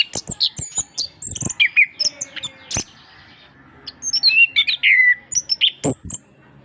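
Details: Gacor orange-headed thrush singing for a master recording meant to encourage reluctant birds. Sharp high chips and twitters alternate with smoother slurred whistles, rising and falling, in a lively stop-start sequence with faint low knocks.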